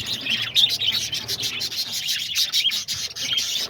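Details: Budgerigars in a crowded outdoor aviary shared with cockatiels, lovebirds and diamond doves, on a sunny day as two male English budgies are introduced, keep up a constant high, busy chatter of overlapping chirps and warbles with sharper tweets.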